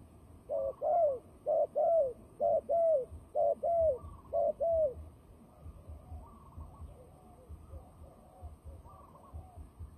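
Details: Fighting turtle dove, a trapping bird, cooing. About six loud double coos in quick succession, each note bowed and slightly falling, then fainter answering coos at a distance over low background rumble.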